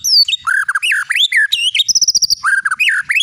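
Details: Champion long-tailed shama of the Medan variety, kept as a songbird, delivering loud fluty whistles and bending slurs, broken by a fast burst of high ticking notes.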